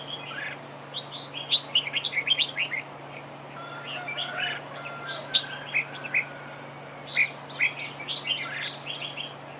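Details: Decoy red-whiskered bulbul in a trap duel, giving short bursts of lively chirped and warbled notes in three clusters separated by quieter gaps, over a steady low hum.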